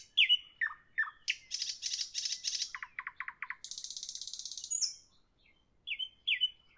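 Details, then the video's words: Nightingale singing at evening: slurred whistles and falling notes, a pulsing rattle, a rapid series of low clicks, a long high buzzing trill and a pure whistle, then two final sharp notes. "Evening nightingale, nightingale song"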